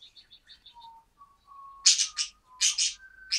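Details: Male budgerigar, first day at a new home with its flock, 14 December 2013: quick run of soft ticking notes over a low thin whistle, then loud harsh scratchy chirps in bursts.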